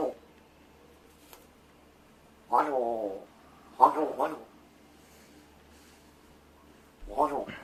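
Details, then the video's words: Rescued large-billed crow rehearsing sounds and words such as good morning and food while its keeper pretends to be asleep; a long nasal call, two quick clipped notes, then another call, with quiet gaps between. "お喋りの練習でおはよう、ご飯、謎の言葉 発声練習と鳴き声"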